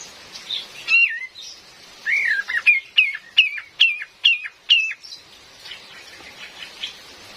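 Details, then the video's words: Female cream-vented bulbul, used as a lure for trapping in forest, giving a run of short bright chirps, first wavering and slurred, then clipped upward notes about twice a second, over steady rain hiss. "SUARA ASLI KAPAS TEMBAK BETINA"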